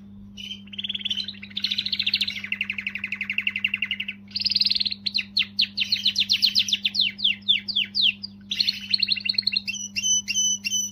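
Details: Canary song given to motivate females: varied phrases of fast buzzy trills between mid and high pitch, a rapid rattle of descending notes, then sharp repeated chips, with a steady low electrical hum underneath.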